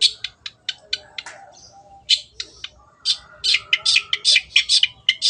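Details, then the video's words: Energetic song of a Long-tailed shrike: rapid, high, dry ticking notes speed up into a dense run of scratchy chirps, roughly two or three per second, with faint low rumble behind. "MASTERAN BURUNG CENDET GACOR"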